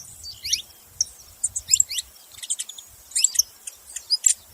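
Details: Saffron finch giving fairly quiet, high sweeping chirps in small clusters spaced about a second apart.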